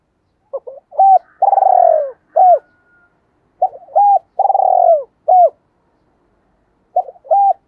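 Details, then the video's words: Decoy-style spotted dove cooing in the 'hai hậu' pattern, meant to lure other doves and train decoys. Two full phrases: brief lead notes, a drawn-out trilled coo, then two clipped falling tail notes, with a third phrase beginning. Clean recording. "tiếng cu gáy gọi hai hậu dùng kích bổi nhanh nổi và tập mồi"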